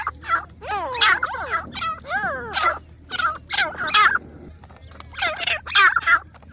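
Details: Grey francolins, the teetar of Pakistan, calling steadily: arched, rising-then-falling harsh notes chained together in quick succession, a brief lull near the middle, then renewed loud bursts.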